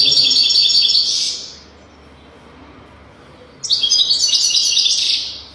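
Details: Loud European goldfinch song, meant for training young goldfinches to sing: a dense burst of high, buzzy, tinkling twitters, a pause of about two seconds, then another rich twittering outburst.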